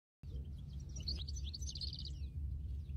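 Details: European goldfinch in the wild: a quick twittering run of high, tinkling and buzzy notes lasting about two seconds, over steady low rumbling background noise.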